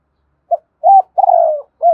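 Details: Spotted dove (cu gáy) cooing in the thúc gù style. A short clipped note, an arched coo, a long slurred falling coo, and then another arched coo. The notes are low and mellow over a silent background.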